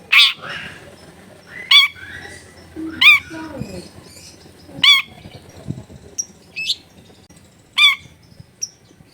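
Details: Long-tailed shrike, recorded as a tutor track to set other shrikes singing. Harsh, rasping notes come every one to two seconds, with a few short whistles and soft low rustles between them.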